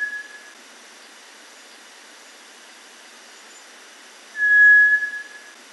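A Cinereous Tinamou gives a single clear, steady whistle on one pitch, sounded twice: a brief note, then a longer one lasting about a second.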